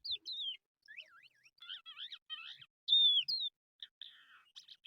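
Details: Crested lark, known locally as jal, heard in trapping-lure audio: clear slurred whistles, short up-and-down notes and a loud falling whistle, separated by brief silences.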